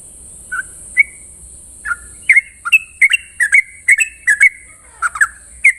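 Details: Sooty-headed bulbul in the morning, singing ropel-style song: a few spaced liquid whistles at first, then a quicker string of slurred, warbling notes. A constant high hiss lies underneath.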